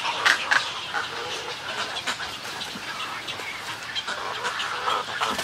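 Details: Snowy egrets at a breeding colony giving colony and greeting calls: many raspy, clucking croaks run together, with a few louder sharp calls near the start.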